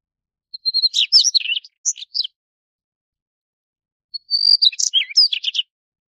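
A Daurian redstart gives two brief, high scratchy twittering phrases of varied thin notes and quick trills, separated by a short silence.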